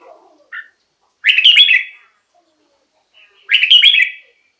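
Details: Caged-bird stimulation or wild-bird luring song of the red-whiskered bulbul: a brief chip, then two strong, fluty warbled phrases about two seconds apart, with a faint low sound at the start.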